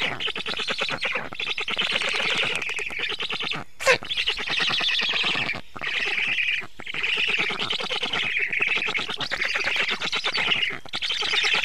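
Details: Feeding time at a black stork nest, 24 June 2017, 19:52. Harsh, hissing, rattling calls run in sustained bursts of a few seconds, broken by short gaps, with one sharp click near the fourth second.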